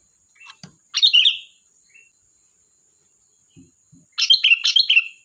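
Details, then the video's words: Sooty-headed bulbul singing energetically: one loud liquid phrase, a pause with faint low taps, then a longer run of rapid bubbly notes, over a steady faint high whine. "Suara burung Kutilang Gacor || Ocehan Kutilang"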